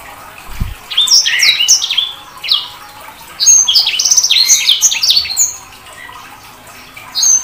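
A sanger bird gives rapid, scratchy chirps and squeaky notes, high-pitched and varied, delivered in two busy bursts with short pauses between them.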